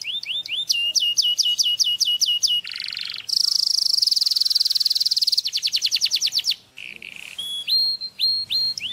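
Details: Canary song offered as a tutor for teaching another bird: high, rapid rolling trills, a sustained buzzing tour and a fast repeated note series, ending in sharp upslurred chips.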